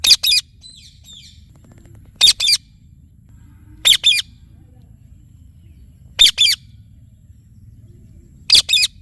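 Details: Indian ringneck parakeet repeating short, harsh paired screeches roughly every two seconds, five bursts in all, each a quick rasping double note over a quiet, still background.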